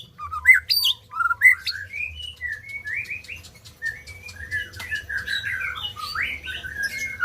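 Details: White-rumped shama song for stimulating birds that have gone quiet. A few loud sharp notes open a long, continuous, rambling warble of varied sliding whistles, softer toward the end, with a faint steady hum.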